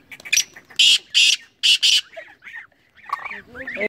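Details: Black francolin of the Sindhi type giving its song: four loud, rasping, scratchy bursts spaced about half a second apart. Softer human speech trails off behind them.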